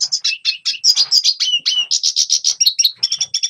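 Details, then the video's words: Red siskin song meant to train young birds to sing: evenly spaced bright, high chirps, several per half second, interspersed with slurred whistles, forming a lively, rhythmic twittering phrase. "Red Siskin Singing Best Song Training - Yellow siskin tập cho chim non hót"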